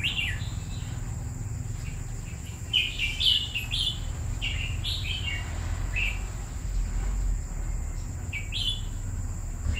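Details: Caged red-whiskered bulbul of two years singing lively, slurred whistled phrases, repeated every second or two, over a steady low background rumble.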